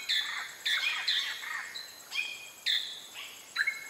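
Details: Greater racket-tailed drongo on Pulau Weh, Indonesia, singing loud, varied whistles and metallic notes, some rising, some falling, in bursts about every half second over faint background hiss.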